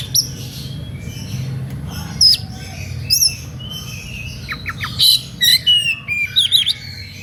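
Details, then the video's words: Oriental magpie-robin singing with emotion to provoke others of its kind into song: sharp whistles and squawky notes, sparse at first then livelier, ending in a cluster of rapid varied chirps, with steady low hum behind. "SUITAN KACER NGEPLAY EMOSI MEMANCING LAWAN IKUTAN BUNYI"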